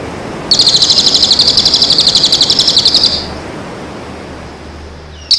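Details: Bird song for training birds in moult and just after it. A single long, high, rapidly pulsed trill runs about two and a half seconds, then stops. A sharp note cuts in at the very end. Steady background hiss throughout.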